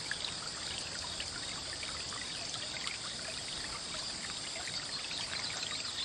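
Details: Continuous stream noise, a broad hiss of pouring and trickling water, with no animal calls heard.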